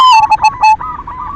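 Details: Silver zebra dove cooing as a lure to stir other doves into song: a brief loud run of four clipped coo notes, then fainter rolling coos trailing away.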